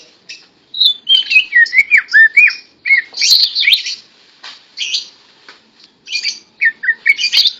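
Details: Held in a person's hand, a tame greater green leafbird sings in bursts: looping whistled phrases and bright chattering notes, broken by brief silent gaps.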